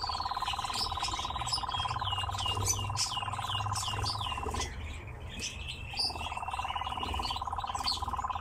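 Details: Captive nightjar giving a steady, machine-like churr that pauses for about a second near five seconds. Looping, upward-sweeping chirps and squeaks from other birds sound throughout.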